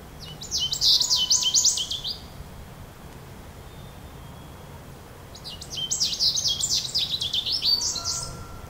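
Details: Goldfinch giving two bouts of quick, liquid twittering notes, high and jangling, each lasting about two seconds with a pause between; quiet low background rumble.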